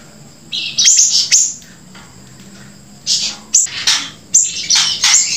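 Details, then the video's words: Grey-breasted prinia singing actively, paired with siri-siri song: two groups of rapid high chirps and downslurred notes, separated by about a second and a half of near silence. "flamboyan gacor sambung siri siri"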